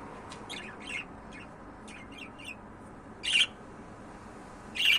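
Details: Pet budgerigars chattering: a run of soft scratchy warbling notes, followed by two loud abrupt squawks near the end, indoors with light background hiss.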